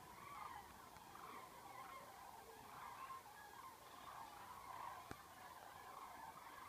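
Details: Thousands of common cranes flying over Dillenburg, Germany, on 19 October 2013 during autumn migration, forced to stop over by bad weather and shifting wind; a continuous chorus of distant overlapping trumpeting calls, steady and layered, with background hiss.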